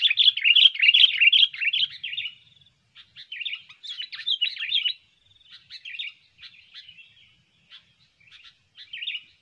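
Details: Lure song of a sooty-headed bulbul, described as lively and long-lasting: a dense opening burst of rich chattering notes, then scattered shorter bubbly phrases separated by brief pauses.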